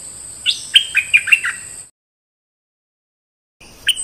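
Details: One of three decoy bulbuls sings a quick phrase of about six bright, falling whistled notes, followed by a gap of silence and one more note.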